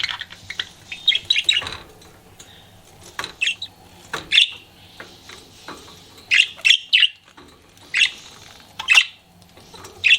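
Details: Pet budgerigar flirting keeps up a busy stream of scratchy chatter and bright chirps, loud notes recurring about every second toward the end.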